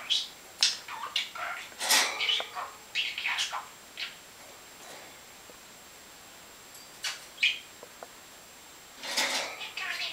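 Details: Male pet budgerigar talking in Danish: soft, quick warbling chatter with scratchy chirps and mimicked word-like bursts, pausing midway, then a louder burst near the end, over a steady faint room hiss.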